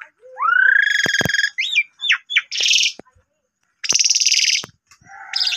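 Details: Energetic Asian pied starling song intended to set off less active starlings, showing its learned repertoire; a rising whistle, squeaky chirps and harsh buzzy bursts, punctuated by sharp clicks.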